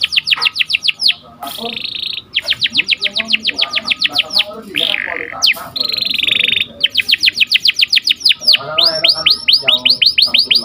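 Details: Domestic canary singing a sharp rolled song meant for training and breeding stimulation, made of rapid repeated chirp trills broken by short buzzy notes and brief pauses, over a low background hum.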